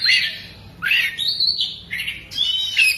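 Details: Caged oriental magpie-robin singing with its tail spread, its song carrying lovebird-like imitations: harsh squawky notes alternating with clear whistled slurs, rising and falling phrases repeated over about three seconds.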